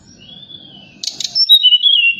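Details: Forktail calling at night as a lure to stir other birds to answer; a long thin rising-then-level whistle, followed by a short buzzy burst and sharp high whistles sliding downward.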